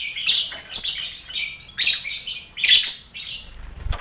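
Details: Lovebirds housed in a colony cage together with finches and quail, heard during pre-contest mental training; raspy high chattering bursts, roughly three loud bouts with a noisy aviary background.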